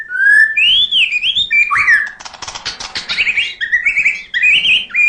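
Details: White-rumped shama singing steadily, full of fill-in phrases: clear rising and falling whistles, a quick dry rattle in the middle, then bright looping whistled notes repeated to the end.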